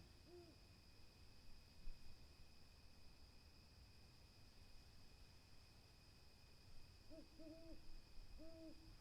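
An owl gives short, soft hoots: one, a long pause, then three more in quick succession. A steady high-pitched whine runs underneath throughout.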